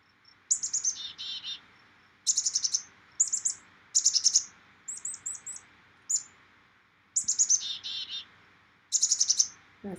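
Black-capped Chickadee giving its perky chick-a-dee call: quick high thin notes, then a burst of buzzy lower 'dee' notes, repeated in bouts every second or two.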